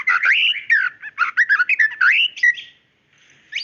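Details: White-rumped shama, a female calling the male, gives mellow slurred whistles and quick chirps in a varied phrase, then falls silent before a final rising note.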